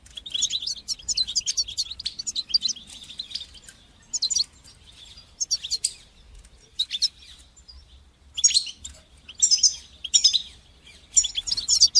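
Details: Goldfinch song styles called batbata and satsata, used to coach young goldfinches to sing: long run of rapid twittering, then separate bright bursts with short silences, ending in sharp tinkling trills.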